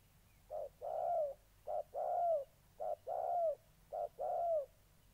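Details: Spotted dove calls from a captive decoy bird in moult facing a combative wild dove, Gia Lai, Vietnam, 14 August 2020. Four clear two-part coos, a clipped note then a longer slightly falling hoot, at steady rhythm.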